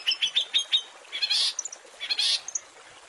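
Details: Long-tailed shrike training recording: a run of short chirps followed by broad harsh buzzy bursts and tiny high pips.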